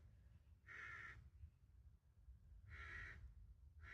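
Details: Carrion crow family in the wild: two harsh, hoarse caws about two seconds apart, each roughly half a second long, with a third starting at the end, over a low background rumble.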